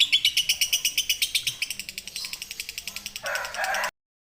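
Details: Lovebird ngekek trill meant for song tutoring: quick, crisp high chattering pulses repeated almost three times a second, softening gradually, ending in a short harsh raspy burst before silence.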